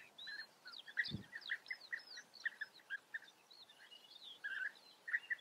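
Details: European bee-eaters giving repeated short rolling chirps, a steady series of liquid trilled notes, with other birds twittering higher and one low thump.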